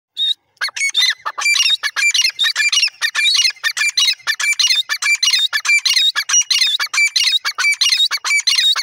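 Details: Grey francolin calling loudly in a fast, dense series of sharp, squeaky high notes, several birds overlapping in a continuous chattering chorus throughout.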